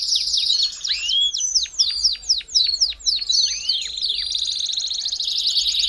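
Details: Belgian canary singing a warm-up song for canaries: a series of sharp falling whistled notes, about four per second, then a smooth fast high trill to the end.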